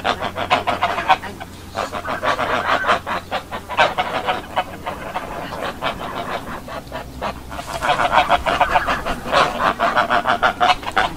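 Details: Farm geese clamour with rapid, overlapping nasal honks, a dense chorus that eases briefly midway and then swells again into a loud, busy run of calls.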